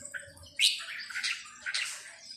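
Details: A red-whiskered bulbul in the 'sai nap dok' song style gives two or three quick, slurred, bubbling phrases against a faint low background hum and soft steady noise.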